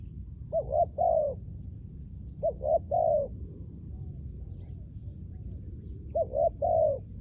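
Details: Trained decoy spotted dove used for ground luring, cooing in short three-note phrases near mid pitch, the last note longer and rolled, repeated about every two and a half seconds over steady low rumbling background.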